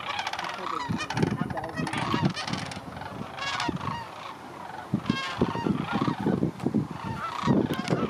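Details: A huge late-August gathering of Sandhill cranes resting and refuelling at Creamer's Field refuge in Fairbanks, Alaska before migrating south, with loud, rattling bugles from nearby birds over a constant din of many more cranes.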